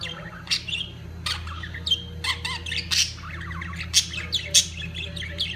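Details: Mating-season budgerigars give harsh squawks and short rising chirps, spaced irregularly and louder near the end, with a continuous low hum in the background.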